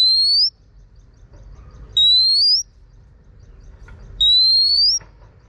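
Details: Female Oriental magpie-robin whistling to coach and stir a male into song: three clean, pure whistles, each rising steadily over about half a second, spaced roughly two seconds apart against quiet background hiss.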